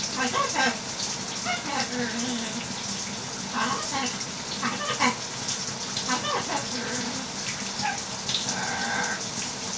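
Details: Pet macaw in the shower utters short bursts of mimicked talk and belch-like noises, belching learned from the owner's kids, over the steady hiss of running water.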